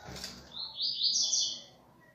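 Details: Double-collared seedeater in viviti song style, a single brief high warbled phrase heard faintly over a soft background hum.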